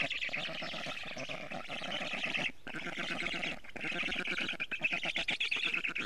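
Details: At a black stork nest in Estonia, afternoon of 12 June 2018, a parent delivers a large amount of food amid fast, rasping, buzzy call bursts, with two short pauses before the chatter swells again.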